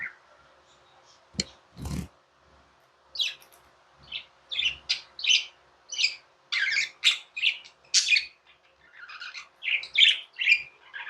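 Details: Tame budgerigars chirping in short separate bursts, starting sparse with a couple of soft thumps, then quickening into a steady string of sharp squeaky chirps.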